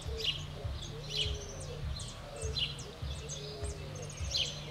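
Fork-tailed flycatcher giving sharp, high, sputtering chips roughly once a second, over a steady low rumble.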